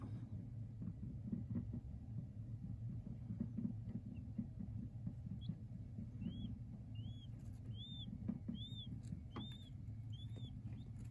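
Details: King quail chicks peeping: thin, high, arched peeps start after a quiet stretch at about six seconds, then repeat roughly twice a second in short bursts, over a steady low rumble and soft clicking.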